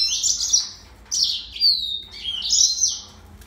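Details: A yellow-fronted canary sings a dense, sweet warble, then a short pause and a clear downward-sliding whistle followed by another bright trilled phrase.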